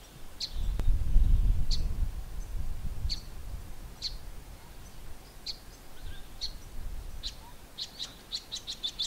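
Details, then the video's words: Male Greater Double-collared Sunbird giving sharp, high 'chip' calls about once a second, quickening into a rapid swizzling, warbling run at the end, over low wind rumble. "Greater Double-collared Sunbird male making the 'chip' call and singing the warbling song"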